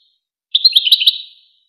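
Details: One quick, bright jangling goldfinch phrase from the famous Wakr Touzgha training tape for chicks and hybrids, a rapid run of high twittering notes lasting under a second, no other sounds.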